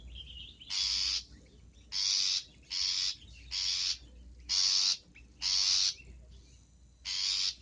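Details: Long-tailed shrike, lively bird on a tutor track for cage birds, full of fill-in song; seven harsh, scratchy rasps at uneven intervals over nearly eight seconds, with short high chirps in between.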